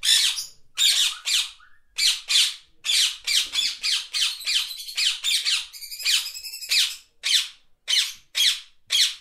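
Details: Parakeets chirping: loud, harsh, scratchy squawks repeated rapidly and unevenly, about two per second, some doubled, in a steady run with no other sounds.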